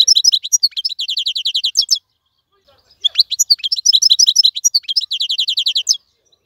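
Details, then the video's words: Caged wild European goldfinch singing nonstop: a two-second run of rapid, evenly spaced high chirps, a short pause, then a longer three-second phrase of fast bright twitters. "مقنين خلوي يغرد بصوته النظيف, تغريد حسون بري دون توقف"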